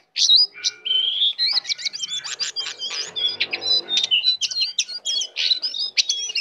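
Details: Continuous, rapid song from a tame, persistently singing brown prinia full of varied fill-ins: sharp high chirps, bent whistles and trills run together, with a rough lower rattle underneath in the middle.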